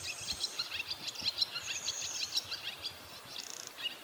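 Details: Swallows on a rooftop in northern Harima, Hyogo, Japan, recorded while out walking and watching wild birds: a fast, chattering series of high chirps, about two per second, mixed with buzzy warbles and a short trill.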